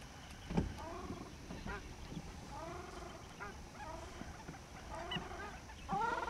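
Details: Indian skimmers at the Chambal River, India, on 28 November 2007, several birds calling in bursts of harsh, nasal, yapping notes, often in quick runs of three or four, a louder close call near the end, steady low background hum.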